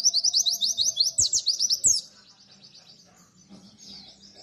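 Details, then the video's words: Rapid 'nembak' song of a white-eye (pleci): two seconds of quick, high, evenly spaced slurred chips ending in a brighter flourish, followed by near-quiet with faint distant twitters. "Masteran Pleci BIKIn Nembak MoLORRR"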